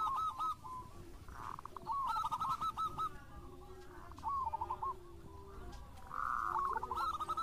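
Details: Local Zebra Dove in vigorous song, delivering three separate phrases of rapid, rolling coo notes, each a short staccato trill, with faint lower drawn-out coos and quiet background between phrases.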